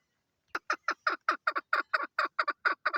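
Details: Female chukar partridge, called chakor, calling: a quick run of about a dozen harsh, clucking chuk notes, roughly four per second, starting abruptly after half a second of silence.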